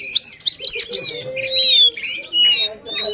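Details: Brief burst of Oriental magpie-robin song in the intense 'gacor' style: a buzzy jumble of high notes followed by pure drawn-out whistles and a lower sliding tone.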